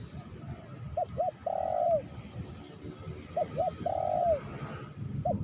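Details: Spotted dove cooing while being lured for trapping in the Meratus area as rain falls: two short hooded coos then a long, level coo that slides down at its end, the phrase given twice over a low rumbling background.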